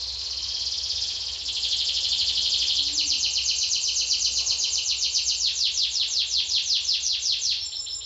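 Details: Canary from Lampung, singing actively: a long loud high buzzy trill that turns into a rapid train of rhythmic repeated notes, about four per second, steady and bright throughout.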